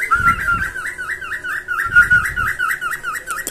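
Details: Cockatiels, call used to stimulate breeding and teach singing: regular rippling chirps, roughly four a second, with brief flat whistles and a few soft low thumps.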